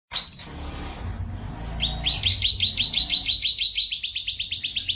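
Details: Canary singing a long, tight rolling song recorded in 2014: after a brief sharp note, fast even trills of repeated bright whistled syllables, about two per second, rising then holding a steady high rolling phrase.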